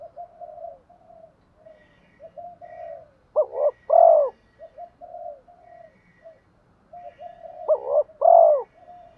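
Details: Spotted dove decoy calling to provoke rival males, giving two loud phrases about four seconds apart, each a wavering coo then a long croon, amid a constant broken humming drone and faint high tones.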